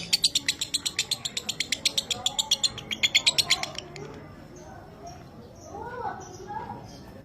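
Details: Pet lovebird, 'minor kering' kind, on a training master for the 'dobelan' style: about four seconds of loud, regularly spaced sharp chirps, then quiet with soft low murmuring sounds.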